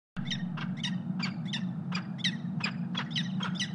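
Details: Peregrine falcon calling during mating, filmed by a nest cam in Columbus, Ohio, on the morning of February 23, 2016: harsh, scratchy notes repeated about every third of a second over a steady low electrical hum.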